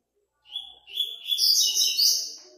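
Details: Double-collared seedeater competing in stage five of a web singing tournament: a sustained clear whistle, then a rising cascade of loud, rapid, musical chattering notes lasting about two seconds.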